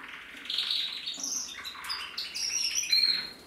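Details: Male red mosaic agate canary singing, 2024: a continuous, fast warble of bright trills and buzzy rolls, with high whistled notes and short rising sweeps that grow louder toward the end.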